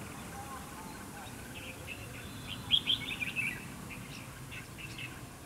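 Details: Red-whiskered bulbul used as a decoy in a fighting trap, singing to provoke a rival: a brief burst of bright, warbled notes midway through, over steady background hiss.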